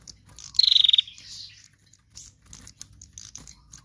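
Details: Female bar-winged prinia, used to lure other birds, gives a single short rapid pulsed trill sliding slightly downward, followed by faint scattered chirps and quiet.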